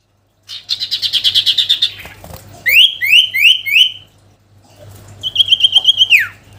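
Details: Sooty-headed bulbul song for calling a rival: a rapid buzzy trill, four loud repeated upswept whistles, a pause, then a chattering phrase ending in a falling slide.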